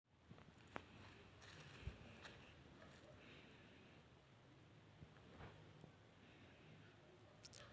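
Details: Quiet indoor hiss with a few faint clicks and soft taps, no animal voices.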